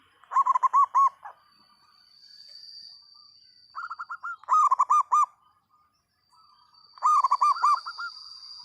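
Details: Actively singing local zebra dove with a loud voice: three rich phrases of rapid, bubbling, looped coos, each opening with a softer trill, separated by short pauses, over a faint high whine.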